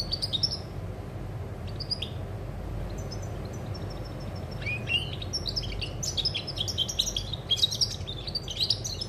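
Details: Song of a European goldfinch on 20 August 2020. Scattered high chirps and a brief thin note give way to an intense, tumbling twitter of tinkling, buzzy notes in the second half, with low droning noise beneath.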